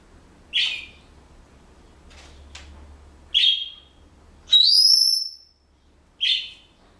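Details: Senegal parrot kept as a household pet, whistling parts of a song it is learning: short bright whistled notes spaced about a second apart and one long rising whistle, with a low hum in the background.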